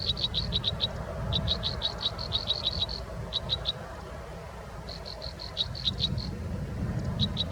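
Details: Robin nestlings being fed in the nest: several clusters of fast, short, high chirps separated by quiet pauses, with a continuous low rumbling noise underneath.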